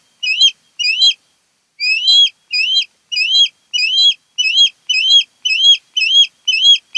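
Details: Wild osprey at a Kent Island, Maryland nest, recorded by a nest cam: a long, rhythmic run of about a dozen loud, upward-whistled chirps at roughly two per second, briefly interrupted near the start.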